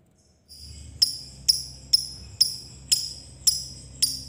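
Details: Lovebird 'ngetik' ticking, meant to provoke other lovebirds to sound off: seven sharp, thin, metallic clicks repeated about twice a second after a short silent start.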